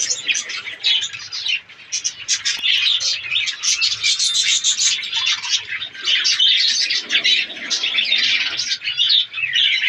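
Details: Caged budgerigars in a breeding colony during breeding season produce nonstop high, chattering warbles and chirps from many birds, loud and dense with brief dips in volume.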